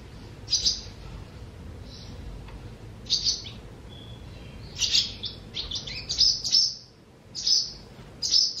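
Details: A barn swallow at a nest by the Tama River, Japan, gives short, high, scratchy chirps in irregular bursts that come quicker toward the end, over a faint low hum.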